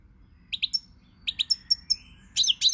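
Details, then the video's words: European goldfinch, described as cardellino pezzato, recorded 20 March 2020: bright high chirps in quick pairs and triplets, with a thin sustained whistle between bursts, ending in louder buzzy twittering phrases over a faint low hum. "Pirlitan Chardonneret, El jilguero, bird, cardellino pezzato GOLDFINCH SONG"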